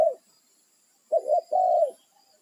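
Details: Territorial wild spotted dove calling its companions: the tail of one coo, then a single complete phrase of a clipped two-part coo running into a sustained mellow note.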